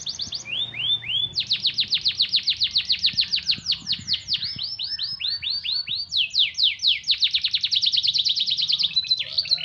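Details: Canary singing a song carrying white-eye (pleci) material, meant to stir up excitement; fast high rolling trills of repeated swept notes, switching between several trill types with brief pauses, faint low background hum.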